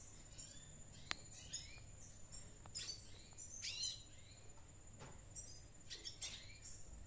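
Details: Red siskin, described as a gundul classic bird, active ngriwik song: quick high chirps, short rising and falling whistled sweeps and buzzy notes in scattered bursts, a sharp click near the start, a thin steady high tone and low rumble behind.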